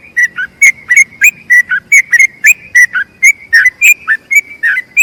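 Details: Sooty-headed bulbul in a long rolling 'ropel' song for tutoring other birds: short bright whistled notes alternating with lower slurred dips, delivered rapidly and evenly throughout.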